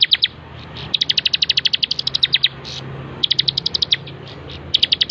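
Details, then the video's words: Bar-winged prinia recorded as a master for training birds, delivering several quick runs of high, staccato chirps, each burst about a second long, separated by short silences. "masteran 100% terbaik burung ciblek gacor"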